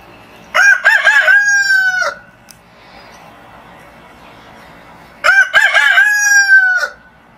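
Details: Two loud rooster crows a few seconds apart, each with a quick stuttering start and a long level ending, giving a morning wake-up call over quiet background hiss.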